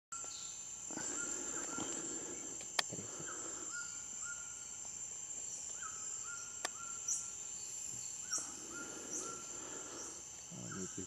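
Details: Black-spotted bare-eye (Phlegopsis nigromaculata), possibly subspecies paraensis, at Santa Barbara do Pará, northern Brazil, in April 2013, giving short mid-pitched whistled notes with a quick downward slur about every second, over a steady high insect drone.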